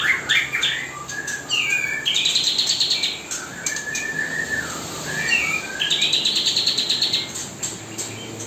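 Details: Nonstop kapas tembak song played for mastering to young white-rumped shamas, an older fledgling self-feeding and a younger one still hand-fed; dense bursts of rapid buzzy trills alternate with bright whistled slurs across eight seconds.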